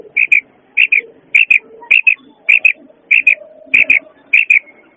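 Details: A female quail gives sharp, high double notes, paired chips repeated about every half second, over faint low background noise.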